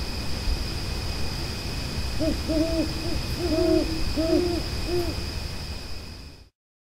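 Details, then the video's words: Owls hooting in the night: a run of about six low, hollow, doubled hoots spaced roughly half a second apart, over steady hissing background noise with a constant high electronic whine, ending abruptly. "BÚHOS ULULANDO EN LA NOCHE - Owl Hooting in the night"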